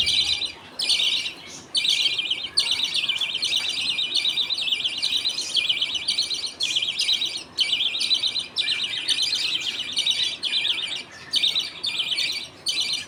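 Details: In a budgerigar colony at feeding time, the father feeds two young millet paste while other birds wait. Continuous rasping, trilled chatter with frequent choppy breaks runs throughout.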